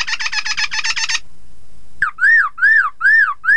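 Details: Chinese hwamei song for making rival birds answer: a buzzy chattering trill, a short gap, then loud arching whistled notes repeated about every half second.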